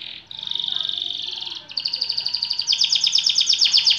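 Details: White AF canary singing a long-duration song: a steady high buzzy trill, a short break, then quick repeated chirping notes that grow louder and faster into a rolling high trill.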